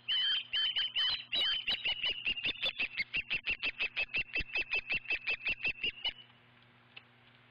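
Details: Osprey at a nest on a ranch in Montana, filmed on 27 August 2013. It gives a fast run of about thirty sharp, high whistled chirps, evenly repeated for six seconds and slowly dropping in pitch, then stops.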